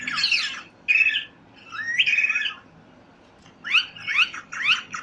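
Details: Parrot squawking and chirping: harsh broadband bursts with whistled slides, then three quick rising chirps at the end.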